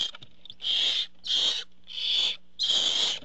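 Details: Barn owls at the nest while the father brings food, recorded by a nest camera; four long, rasping hiss-screeches in close succession, each roughly half a second, separated by brief quiet gaps.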